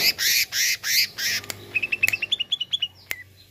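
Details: Greater green leafbird song used to excite a kept leafbird. Four loud, harsh, noisy bursts come first, followed by a fast rising string of short clear chirps and one last whistle.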